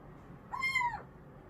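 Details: A pet little owl indoors on a hot day gives a drawn-out, mewing scream of about half a second, holding level then dropping at the end, in a quiet room; the owner suspects it calls other little owls.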